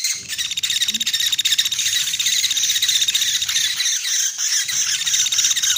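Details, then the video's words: Rice woodpecker (pelatuk beras/sampit) lure call: high, thin squeaky notes repeating rapidly, about three per second, in a dense, slightly ragged stream with a faint hiss behind. "Suara Pikat Burung Pelatuk beras"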